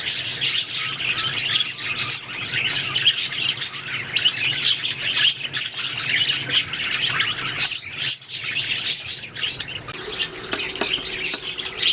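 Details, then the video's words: Several budgerigars singing and chirping together in a dense, continuous warbling chatter of high twittering notes, with harsher squawks and clicks mixed in throughout and a brief lull near the eighth second. "Budgies singing making sounds chirping"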